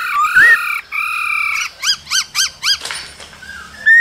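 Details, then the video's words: Cold-season laughingthrush, a male singing and dancing with a female calling: a rising whistle and steady held tones, then five short arched notes repeated rapidly, ending on a softer slurred whistle. "Khướu trống hót múa kèm tiếng mái ro kích bổi mùa lạnh"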